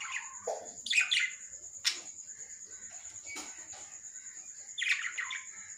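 Lovebird calls: sharp, squawky chirps in short bursts over a steady high-pitched whine.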